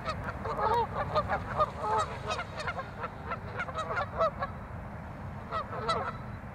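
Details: Canada geese in a territorial skirmish at Waveland Lake on Chicago's North Side, giving loud, harsh honks in rapid, irregular bursts that overlap one another, over a steady low rumble of background noise.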